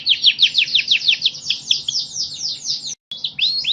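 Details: Champion singing canary pours out a rapid series of descending swept notes, about three per second, then a brief gap and rising whistled slurs.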